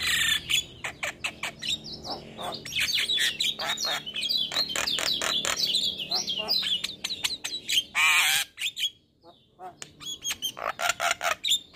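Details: Male Javan myna singing in the morning, a loud, varied stream of harsh clicks, chattering bursts, squeaks and whistled slurs mostly in the high range, with a brief pause near the end before rapid chatter resumes.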